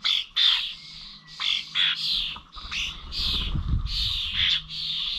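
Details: Common starlings at village bird feeders in Corby, recorded on 21 November: harsh, buzzy squawks around mid-high pitch, repeated in bursts of about half a second, with faint low rumble and thuds beneath.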